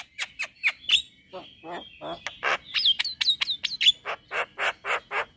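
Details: A male white-eyed Javan myna whose sound gets other mynas calling: alternating shrill chirps and broad, hoarse, scraping notes, including a burst of clear downslurred whistles midway, delivered in an uneven, chattering rhythm.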